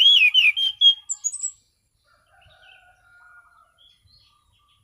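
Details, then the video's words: Steady, clear ngeplong song of an Orange-sided thrush: a rapid opening run of rich slurred whistles and higher chirps over about one and a half seconds, then quiet with faint background hum. "Burung Anis Cendana Ngeplong Santai"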